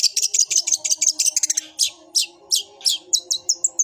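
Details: Long-tailed shrike in fighting mood giving a sparrow-style song: a fast run of scratchy chirps, then slower loud rasping notes and sharp whistled upslurs about every third of a second. A faint steady hum runs below.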